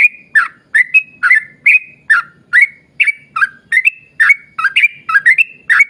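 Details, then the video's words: Yellow-vented bulbul pouring out an extended rapid song used as a lure for its kind: around seventeen bubbly whistled notes over six seconds. Some come in quick pairs, with pitch stepping up and down, over light low hum. "trucukan gacor ROPEL PANJANG buat pancingan trucukan agar bunyi"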